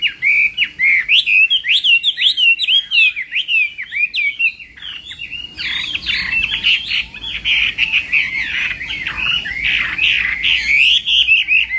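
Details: A Chinese hwamei trained for singing contests gives its morning song: a long, rapid torrent of rich whistled and warbled notes, varied and continuous, briefly softening midway before resuming loudly.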